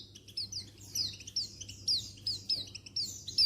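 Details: Settled female Oriental white-eye, untulan type, calling to males; a rapid, continuous chatter of high, sliding, down-slurred notes, several per second, with a low hum beneath.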